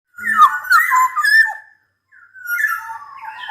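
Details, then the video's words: Black-naped oriole singing actively: rich, fluty whistled phrases sliding and warbling, a sustained phrase, a brief pause, then a second liquid whistled run rising toward the end. "Burung kepodang gacor dor"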